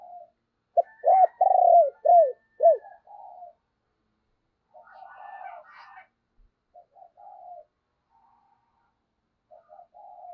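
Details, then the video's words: Spotted dove kept as a decoy, cooing to provoke other doves to coo: a loud series of clipped, falling coos, then quieter purring phrases spaced across ten seconds. "Chim Cu Mồi Thúc Và Gáy Gọi Kích Bổi Nhanh Gáy"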